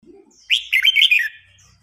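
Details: During a singing contest, an old wild-caught red-whiskered bulbul pushes a young bird into agitation. A single loud, rich warbled phrase of quick tumbling notes is heard, preceded by a faint low note.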